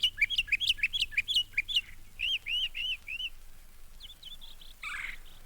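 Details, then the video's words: Northern Mockingbird, Florida's state bird, singing at Mountain Lake Sanctuary, Lake Wales, Florida: bright, high phrases each repeated several times before switching, a rapid run of sharp chips, four slurred arching notes, then thinner whistles. "A part of that beauty is the song of the mockingbird."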